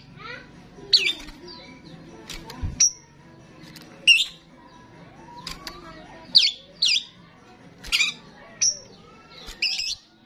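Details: Starling in full, active song, played to draw in starlings: a string of short, sharp whistles and clipped chirps roughly every second, some rising, some falling, with faint chatter behind.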